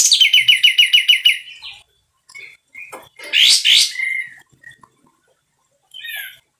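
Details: Loud, harsh song of a sooty-headed bulbul: it opens with a rapid, evenly pulsed trill, then scattered short whistles and a pair of loud rasping bursts, with a quieter whistle near the end.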